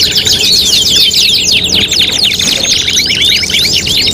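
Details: Canary singing from a competition tutoring mix combining five song materials: busy rolling trills with repeated rising-falling chirps, layered and continuous at high pitch.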